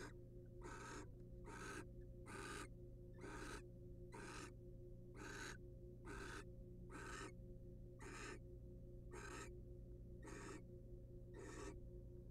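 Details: Wild barn owls in a nest box, the male preening the female's feathers; harsh, broadband hissing screeches repeat about once a second over a steady low hum.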